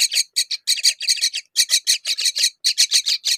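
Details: Myna with her babies at a fig feeding; coarse, rasping notes in clusters of two to four, separated by short silences, close and loud.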